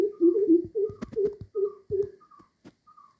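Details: Two greater coucals at a window giving different calls: a fast run of deep, overlapping hoots, partly interleaved with higher, short, slightly falling notes, plus sharp knocks and clicks fading out at the end.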